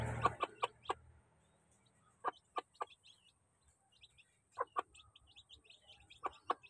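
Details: A crowd of domestic chicks feeding, with thin high peeps scattered throughout and several loud, low clucking bursts in short groups at the start and again around the middle and end.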